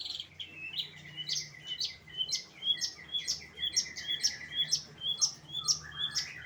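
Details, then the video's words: Late-afternoon song of a long-tailed shrike, a steady series of high, bright chirps with brief downward slurs, about two per second, growing louder toward the end, with a lower note slipping in near the close. "Kicauan Cendet di Sore Hari"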